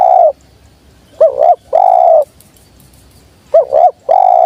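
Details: Spotted dove cooing, used as a lure for wild doves: a long smooth coo, then twice a quick wavering double note followed by a drawn-out steady coo, in quiet surroundings.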